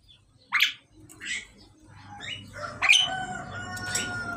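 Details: During pairing, a male and female Pied Myna utter sharp rasping squawks, then a run of harsh notes over drawn-out whistled tones, with a low rumbling background.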